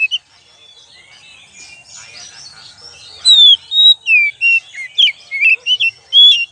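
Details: Oriental magpie-robin lure recording, opening with soft, quiet chatter. Halfway through, a loud series of bright whistled notes begins, rising and falling, repeated quickly in uneven rhythm.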